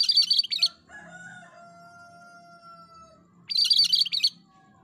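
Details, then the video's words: Loud, repeated gacor song from a cream-striped bulbul: two harsh, tightly packed bursts of high chattering notes, with long, steady, faint whistled tones held between them over a low background hum. "Masteran Burung Cucak Kerinci Gacor"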